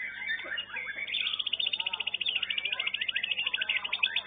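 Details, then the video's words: White-rumped shama in a young-bird class at an Indonesian singing contest: a brief burst of mixed chirps, then a long, even, rapid trill of high ticking notes running steadily to the end, with fainter song behind. "KELAS KE 6 MB MUDA"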